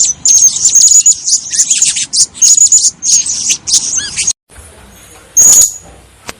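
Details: Blue-crowned hanging parrot, recording suited for luring in bird trapping: busy stream of very high shrill chirps and thin whistled notes, then a short pause and one last sharp burst.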